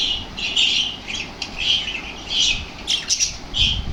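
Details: Lovebirds stirred to activity by lovebird sounds give sharp, shrill squawks roughly every half second, a few quicker clicking notes between them.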